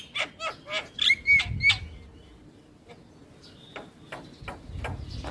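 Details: Javan myna singing vigorously with head-bobbing, used to coax a silent myna: a few harsh chirps and whistles early, then spaced dry clicks and a thin sustained tone over faint rumble.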